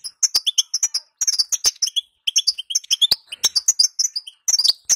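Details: European goldfinch female call of the 'sitsita' style, used to make males sing strongly: dense bursts of sharp high chirps and tinkling notes separated by short gaps, with a few clicking ticks.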